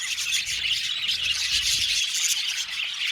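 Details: Aviary budgerigar colony: an unbroken blur of high warbling chirps and chatter, a soft low hum underneath.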